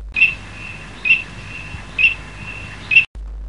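Eurasian teal giving four short, high, clear whistled notes, about one each second, with a faint steady tone between them.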